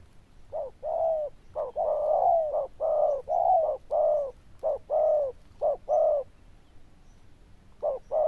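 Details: Loud zebra dove coo in a long sequence of rolling, purring notes of mixed length, delivered nearly once a second at a steady mid pitch, with a pause before a final short note.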